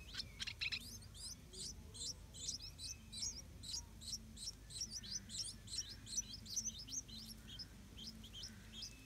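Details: Stripe-throated Bulbul at its nest with hungry hatchlings, parents defending the nest, gives thin, high chirps in a fast, uneven series of about two to three a second, over a low steady hum.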